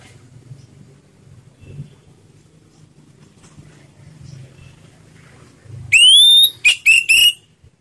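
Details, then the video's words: Orange-headed thrush singing in slow ngeplong style, a lure recording for silent birds: after six seconds of low hum, a loud rising whistle followed by three shorter clear whistled notes. "Suara Anis Merah Ngeplong Slow || merangsang bunyi anis macet"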